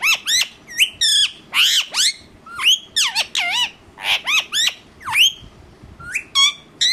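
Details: Angry pet Indian ringneck parakeet gives a fast series of shrill, sharply down-sweeping screeches, often paired, with brief gaps between them.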